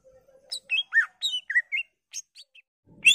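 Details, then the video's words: Greater green leafbird song, a varied phrase used to prompt other leafbirds to sing: a low steady tone, then quick whistled notes sliding up and down, ending in a burst of rough noise. "PANCINGAN CUCAK IJO Macet Bunyi / Masteran Cucak Ijo full isian"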